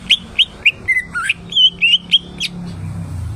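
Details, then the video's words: Greater green leafbird (cucak ijo) in full song: a quick run of about nine clear whistled notes, each sliding up or down, with a brief lower warble in the middle. A faint low hum sits underneath. "BURUNG CUCAK IJO !!! Gacor Rawatan Lolohan"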